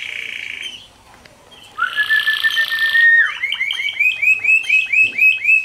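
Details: Canary singing: a steady high whistled tone, a pause, then a buzzy passage with a rising whistle, ending in a rapid series of repeated swooping notes, about four per second.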